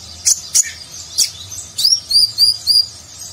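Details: Sunbird (konin) singing energetically in Nagen style, a training song for contest birds: a few sharp high clicks, then a run of four or five thin, high whistled notes that sweep down, quickly repeated.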